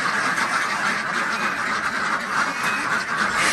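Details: Desi ducks on a village farm in Andhra Pradesh during morning egg collection; a dense, steady wash of overlapping quacks from many birds, with no pauses.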